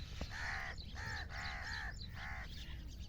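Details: Grey francolin calling, a sound used to lure for hunters: four loud, harsh, nasal notes with arched tones, given in quick succession over about two and a half seconds against a low background rumble.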